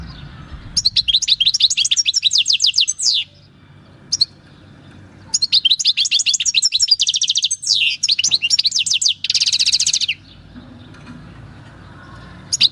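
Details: European goldfinch caught in the wild in 2018 at El Paso, delivering natural field song in long runs of fast liquid twitters, chattering trills and a harsh buzzy burst, separated by short pauses; low background rumble throughout.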